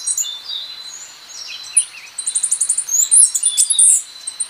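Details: Costa Rican brushfinch song: a busy run of thin, high whistled notes and slurs, then a fast stuttering series of short chips from the middle onward, with sharp high accents near the end over faint background hiss.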